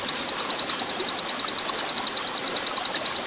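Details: Oriental white-eye long rapid-fire training song over water sound: a fast, highly regular train of bright, high chips, each sliding down, sustained without pause.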